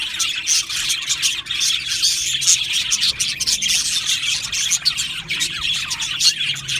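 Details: Many Australian budgies chatter together in an aviary colony, a steady wash of bright, high twittering notes and quick chirps layered over one another throughout.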